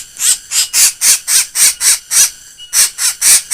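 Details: A black bird with a strange laughing voice gives a fast series of shrill, high squealing notes, about four per second, with a short pause before the series resumes.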